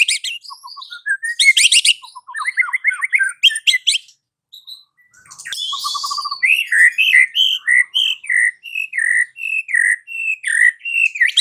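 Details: White-rumped shama singing in the afternoon, used to provoke a mute bird to sing: rapid rattles and stuttering notes, a short pause, then a long run of repeated whistled phrases, about three each second.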